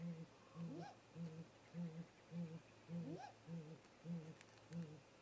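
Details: Late-afternoon visit by a great grey owl pair to their nest snag tree, male arriving first, female landing on top. Regular low hoots repeat roughly twice a second, broken by two rising, swooping whoop calls.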